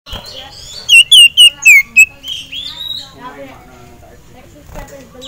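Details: Caged male common iora agitated at the sight of a rival and a female: a run of five loud, clear whistled notes sliding downward, followed by softer chattering twitters.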